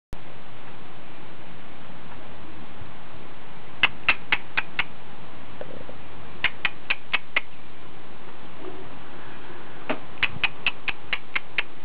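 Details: House finch nestlings, four tiny days-old chicks in a nest in a hanging basket in July, waking to be fed while the mother is away, give three quick bursts of sharp, high cheeps, five to seven notes each, over a low hum.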